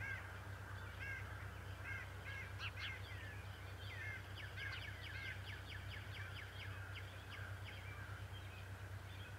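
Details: Nest-side bald eagles at Decorah on 11 March 2018, the father bird with feather and grass on his beak; a few separate piping notes, then a long quick chattering series of high squeals, with continuous low hum throughout.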